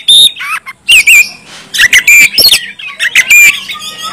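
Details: Kacer, the Oriental magpie-robin, from Kalimantan, singing hard: clear whistled phrases bending up and down alternate with buzzy, scratchy notes and brief pauses. A faint steady hum sounds underneath.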